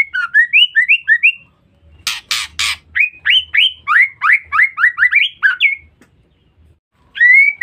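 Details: Female white-rumped shama call used to lure or provoke males: long rapid series of rising, hooked whistled chirps, briefly broken by three loud harsh rasps, then resuming in a busy run and ending on a single rising whistle.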